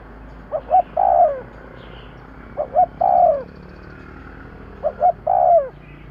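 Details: Spotted dove call used as a lure for birds: three phrases, each two short hollow coos and then a longer, falling, slightly rough coo, repeated about every two seconds over quiet background hiss.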